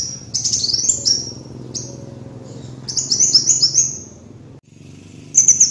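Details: Lure recording of a kolibri wulung sunbird singing: fast, high-pitched rising and falling twitters in quick runs, several short bursts separated by brief pauses, over a low background hum.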